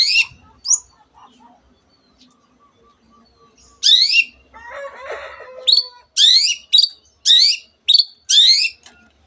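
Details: Long-tailed shrike singing a song with mimicked canary and other bird phrases: short, high buzzy twittering bursts, sparse at first, then a fast run of repeated chirped notes in the second half.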